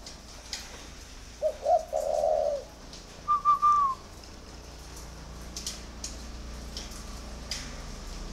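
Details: A single song phrase from a spotted dove: a short low note, a wavering coo, then a higher whistled note that drops away at the end, followed by quiet background hum.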